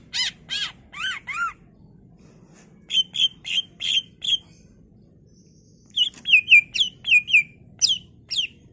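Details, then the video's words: Song of a greater green leafbird, varied and lively, used as a lure so other leafbirds reply: slurred downward notes, a pause, clipped repeated chirps, then a faster rising-falling phrase of bright whistles. "Cucak ijo gacor full isian Variasi Cocok buat Pancingan agar Cak ijo lain Nyaut dan Gacor"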